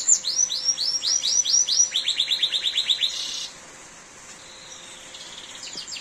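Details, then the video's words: Canary singing during heavy rain: a run of quick descending whistled notes, then a fast rattling trill of repeated high syllables, ending in a buzzy phrase before fading under steady rain hiss. "Suara Kicauan Burung Kenari di Saat Hujan || The Sound of a Canary Chirping in The Rain"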